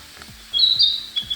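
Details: Narcissus Flycatcher in early May near Abashiri, Hokkaido, giving a high, bright warbled phrase lasting under a second, with softer low thuds and background hiss.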